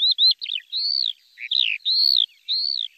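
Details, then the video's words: Long, sweeping whistles from a lark, each arching up and falling away over about half a second, with a few lower slurred notes in between and quiet gaps between phrases. "تغريد طائر قبرة الحقول(القوبع) Chant de Alouette des champs"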